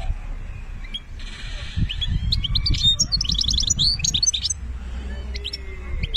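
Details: European goldfinch in Algeria singing benna style; after a quiet start, a burst of quick high twitters and buzzy notes fills the middle, then sparse chirps, above a low background hum.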